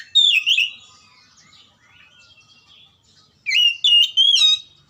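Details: Song of an oriental magpie-robin, played to make quiet or lazy birds sing: a rich warbled phrase opens, soft twittering follows, then a loud burst of three fast, buzzy whistled phrases.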